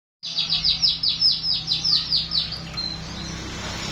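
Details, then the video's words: Baya weaver singing learned canary song, a fast trill of about twelve high, slightly descending chirps, then fading into background noise and low hum. "Kicau burung Manyar isian kenari"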